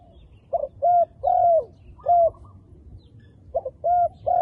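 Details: Dark-feathered wild dove gives soft, low cooing phrases: a short note, a steady hoot, then a long coo sinking at the end, the phrase repeated twice with a pause between.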